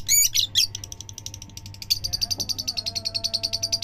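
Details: Lovebird, described as a fighter, giving a long chatter: a few harsh squeaky notes, then a fast even string of high ticking chirps, roughly seven per second.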